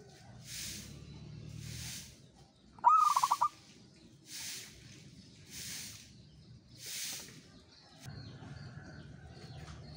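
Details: Local perkutut (zebra dove) in ngayer-style song. It gives a single phrase: a rising note followed by a quick cluster of short, rhythmic coos, set against regular hissing bursts and a low rumbling hum.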